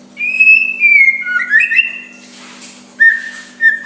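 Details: Soft song of a white-rumped shama, meant to provoke a rival into replying: clear whistled notes held steady then sliding, a pause, then two short whistles, with a faint steady hum beneath.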